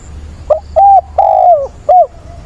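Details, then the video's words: A mature decoy spotted dove calls for a mate on 17 September: a soft lead-in note, then a short hooting coo, a long drawn coo falling in pitch, and a final short coo, all close and clear. "Cu mồi gáy gọi tìm bạn, giọng bổi ức chế, kích là gáy"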